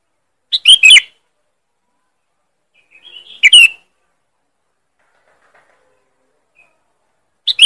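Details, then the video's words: A sooty-headed bulbul gives a loud, sharp lure call: chattering bursts roughly every three seconds, with a softer lead-in note before one burst; no other sounds. "Suara pikat Burung kutilang. Keras dan tajam"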